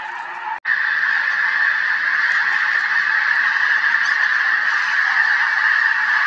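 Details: A large flock of snow geese, flying with sandhill cranes at Merced National Wildlife Refuge, California, on 21 February 2021, keeps up a dense, continuous chorus of nasal, yelping honks that overlap into one steady roar, with a brief break near the start.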